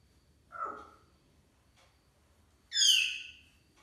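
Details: African grey parrot calling at bedtime: a short mid-pitched squawk, then after a pause of about two seconds a loud, harsh, falling screech rich in high overtones; otherwise quiet with faint low hum.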